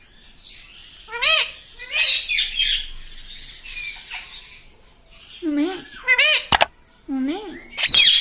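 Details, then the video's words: Talking pet parrot, said to repeat "mitthu" and "mummy", utters wobbling, speech-like syllables in short groups, mixed with chattering and a sharp click. "Talking parrot - Mitthu mitthu - Mummy Bolne Wala Tota"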